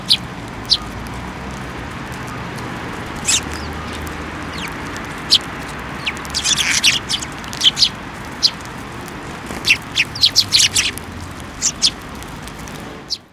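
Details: Several sparrows at a Tenmangu shrine in late December 2023 fly to an outstretched hand for food: scattered thin, high chirps, denser and more rapid toward the middle and end, with a brief fluttering rustle between them and constant low background noise.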